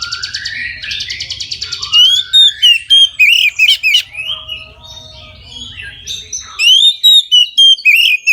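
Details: Midday full song of an Oriental magpie-robin, played to encourage other magpie-robins to sing often: rising whistles and sharp, varied slurred notes in quick rhythmic runs, over a low steady hum that stops near the end.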